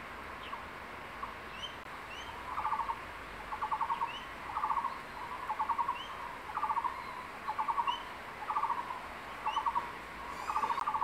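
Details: Male crested goshawk at a nest in secondary forest on 6 April, holding a freshly caught tree lizard and calling his mate to eat: rapid chattering bursts of clipped notes, roughly every two seconds, with faint rising whistles of other birds above.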